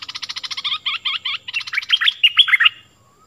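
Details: Stripe-throated bulbul song from 2021, played to teach young birds and lure wild ones: a fast rattling trill of short notes, then a run of looping whistled phrases rising and falling.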